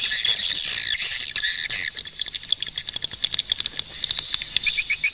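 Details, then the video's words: A loud, buzzy swiftlet twitter that gives way to a rapid string of clicks and short high chirps, about four per second. "Swiftlet bird sound"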